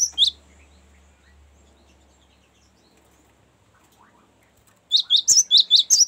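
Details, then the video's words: Cinereous tit: a sharp high note, then after a pause a fast run of about six bright, ringing notes repeated in quick succession; long ngerol song used as a lure for other birds. "ngerol panjang sangat bagus untuk pancingan gelatik batu dan masteran"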